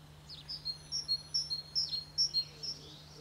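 A great tit sings a quick, ringing two-note phrase, a high note dropping to a lower one, repeated about six times in three seconds over a faint steady hum.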